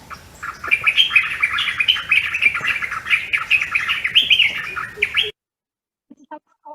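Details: White-browed bulbul, a home-garden bird, giving an angry call rather than song: loud, rapid jumble of harsh, chattering notes for about five seconds, scolding and agitated, then a brief pause with faint notes.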